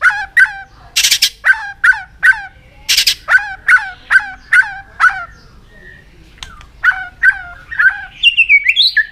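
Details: White-rumped shama (chòe lửa) singing its competitive fighting song while flicking its tail: quick, sharp, ringing notes repeated over two or three per second, two harsh rasping bursts, a brief pause, then softer whistles rising at the end.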